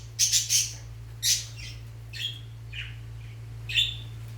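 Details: Shrill, grating squawks from Fischer's lovebirds mating and preparing a nest. A quick pair of loud calls opens, followed by single harsh notes spaced roughly a second apart, with a constant low electrical hum underneath.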